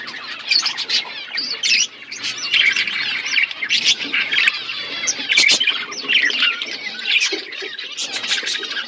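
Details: Budgies in a flock, eating winter foods in Asia: busy warbling chatter of many birds, twittering and squeaky notes overlapping without break, with a couple of sharp clicks midway.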